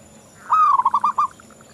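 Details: Zebra dove of local stock, a keen singer: one drawn-out cooing note breaking into a quick stutter of four or five short, rolling notes, with quiet background.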